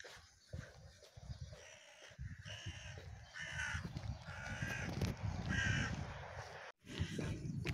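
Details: On a cold, foggy morning of about 8-10°C by water, a crow gives a few harsh, hoarse caws about a second apart under heavy low rumble from wind and footsteps; roosters and another singing bird are also around.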